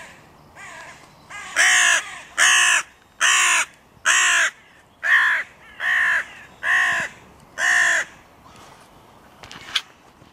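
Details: Crow at a park music pavilion where three breeding pairs' territories meet and borders are hotly disputed; eight loud, harsh caws evenly spaced about every 0.8 seconds, with fainter calls before and after.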